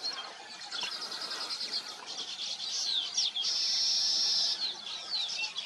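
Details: Weavers busy at their nests give a crowded wash of high chattering and down-slurred squeaks, broken by a long, thin, buzzy whistle near the end.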